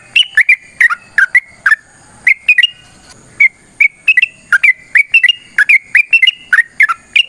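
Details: A yellow-vented bulbul sings its long fighting song, meant to draw other birds into answering, with clusters of short, gurgling whistled notes broken by brief pauses and sharp clicks.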